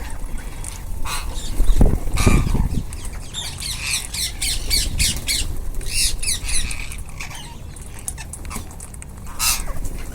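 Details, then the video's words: Rose-ringed parakeets eating as a group, giving a run of harsh, scratchy squawks, some single and some in quick chattering series, scattered through the recording above a low rumbling background with a few dull bumps. "Ringneck parrots group //eating // natural sound"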